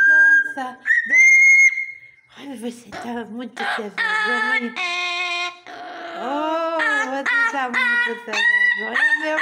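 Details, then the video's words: Parrot giving rich, harmonic calls: a high whistle, then rapid raspy bursts and wavering laugh-like phrases that rise and fall, repeated over several seconds in a small room. "papagaio inteligente dano risada"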